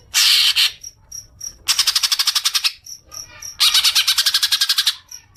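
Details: Green leafbird (cucak ijo) lure sound for triggering long chattering (ngekek): three harsh, rapid pulsed chatter bursts, the later two with about a dozen evenly spaced rasping notes each, with faint high ticks between.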